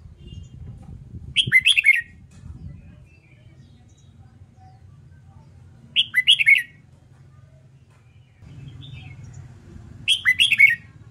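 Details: Competitive-song training of a red-whiskered bulbul: a short, loud warbled phrase of looping whistled notes repeated three times, roughly every four seconds, with quiet low hum between phrases.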